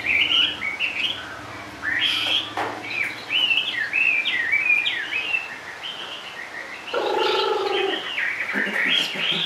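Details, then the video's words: Chinese hwamei kept in a cage and singing while perched low, delivering a varied stream of rising and falling whistles, broken by a harsher buzzy note near the end. "HM 454 chơi mọi địa hình bộ to đẹp mướt sách lồng hót bệt dính cầu"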